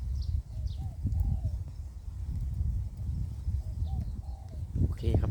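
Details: Spotted dove in Phrae, Thailand, giving soft low coos in short paired notes that rise then fall, repeated a few times under a heavy steady rumble of wind noise.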